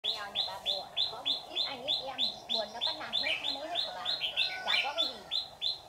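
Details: Red-whiskered bulbul (white-cheeked type) used as a decoy in trapping, calling in wild birds: short rising-falling notes repeated about three times a second, with people talking quietly beneath.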